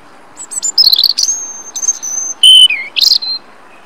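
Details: European robin in Rombergpark, Dortmund, Germany, 27 March 2013, recorded on a Panasonic Lumix GH3 camera: quick, varied phrase of thin, high whistled notes, sustained pure tones and squeaky slurs, one dropping sharply, over a quiet background.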